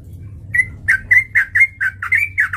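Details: Sooty-headed bulbul calling as a lure to stir up fighting, a quick sequence of about nine rich, liquid, down-slurred whistles, evenly paced, against faint low hum.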